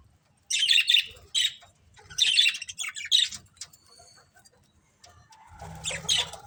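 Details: Chirping budgerigars kept as a pet family: several scratchy, buzzy warble bursts, then quieter chatter and a final squeaky outburst.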